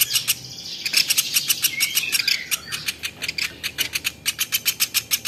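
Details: Velvet-fronted nuthatch, or platuk beras, as a songbird tutor: a dense stream of sharp clicking notes that slows into evenly spaced ticks, about five per second. A faint wavering whistle blends in early on.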